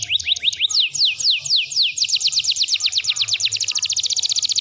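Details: Canary in full, energetic song used as a training recording for other birds: rapid rolling trills of high, steeply falling sweeps that speed up toward the end into a fast, even buzzy roll, with faint low rumbling behind.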